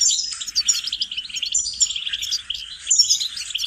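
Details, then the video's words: Goldfinch singing lesson meant to train songbirds: a short run of quick, chattering twitters and tinkling trills with a few sharp, high whistled notes, continuous throughout. "Training and cultivating melodies singing lessons for goldfinches"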